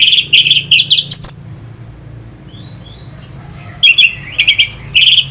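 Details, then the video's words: Orange-headed thrush song for provoking fighting birds: short loud bursts of repeated sharp whistled notes, a high rising note, a quiet gap, then another run of clipped whistles. "Pancingan SUara ANIS MERAH Pembangkit Figther Burung"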